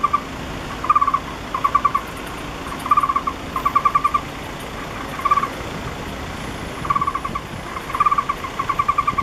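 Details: {'caption': 'Young Taiwan barbet begging at its nest hole, about 2 m up a camphor tree beside an apartment near the National Palace Museum, 28 August 2013, awaiting its parents. Short bursts of three to six rapid notes come every second or two against continuous traffic rumble.'}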